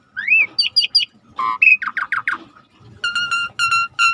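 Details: Suret starling singing hard: a rising whistle, three quick high chirps, a burst of harsh descending notes, then evenly spaced rich harmonic whistles over faint low noise.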